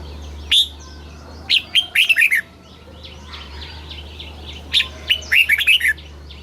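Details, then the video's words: Caged red-whiskered bulbul from Thailand singing in the southern master style, played to excite caged birds and teach young ones: two bursts of loud, liquid whistled notes, rising and falling, with faint twittering and a low hum behind. "เสียงนกกรงหัวจุก สำหรับต่อ หรือ เปิดให้นกคึก"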